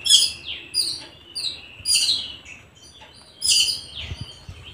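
A sparrow gives bright, high chirps in short bursts, roughly four clusters of sharp descending notes spaced about a second apart.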